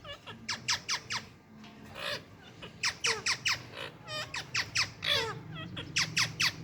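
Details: Morning parrots squawking in quick, rough bursts, about two each second, with sharp downward-sweeping harmonic notes and low room hum underneath.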